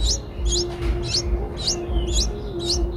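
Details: Eight-day-old Streak-eared bulbul nestlings in Ubon Ratchathani, Thailand, 10 April 2023; clustered high squeaky chirps in bursts about every half second, above a steady low drawn-out tone.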